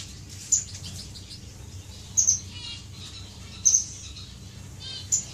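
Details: Single sharp, very high chirps from finches in a courting aviary group, May 2015, spaced about one to one and a half seconds apart, with quiet twittering and low hum between.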